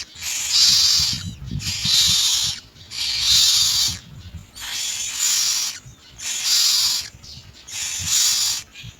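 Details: Common myna adults busy finding insects for their young; six loud, raspy hissing bursts, each lasting about a second, repeated evenly every one and a half seconds, with faint low background noise.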